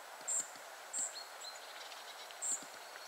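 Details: Spotted flycatcher family: three loud, thin, high squeaky notes at uneven intervals, with softer faint chips between and a muted background murmur.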